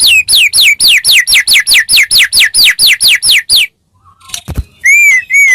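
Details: White-rumped shama song used as a training recording to get other shamas answering within a minute: a fast run of about fifteen sharp, downward-sweeping whistles, a brief pause with a click, then sliding whistled notes returning.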